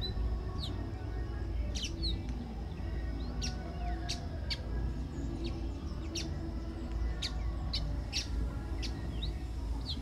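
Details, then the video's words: Pale baywing (Agelaioides fringillarius) giving brief high chirps and a few short slurred notes, spaced roughly every half second to second, against a steady low hum. "Pássaro Asa-de-telha-pálido"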